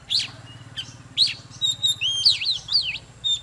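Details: Oriental magpie-robin singing and dancing, producing long slurred whistles and looping warbled notes that rise and fall, over a steady low hum.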